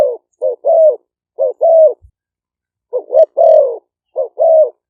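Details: Spotted doves of the Malay strain, two captive decoy birds, recorded live in Roi Et province, Thailand, for luring wild doves: a deep two-part coo, short notes then a long, bowed, mellow note, phrase repeated about every one and a half seconds.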